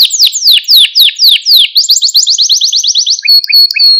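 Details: Male Maltese canary, sung to excite other canaries: a series of loud down-slurred whistles about four per second, then a quick high rolling trill and spaced short chips.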